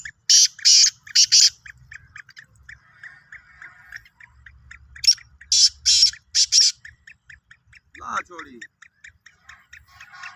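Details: Black francolin of Sindhi type giving two grating phrases of three or four rough bursts each, separated by a quieter stretch of rhythmic ticking.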